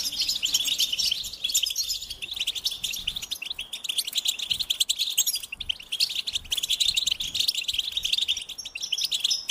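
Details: Goldfinch in full song, pouring out rapid, high twittering notes and sparkling trills almost without stopping.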